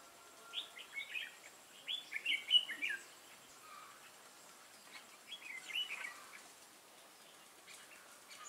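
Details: Red-whiskered bulbul, a newly caught wild bird, in a singing contest on 22 October 2018: quick chattering warbles clustered in the first three seconds, then softer scattered notes with faint hiss.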